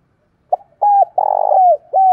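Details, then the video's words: Decoy spotted dove calling to lure wild doves in, a lowland-style voice. Soft hollow cooing in four linked notes, the long third note wavering and falling, in a quiet setting. "Chim Cu Mồi gáy Gọi, Thúc bổi rừng về cội lẹ"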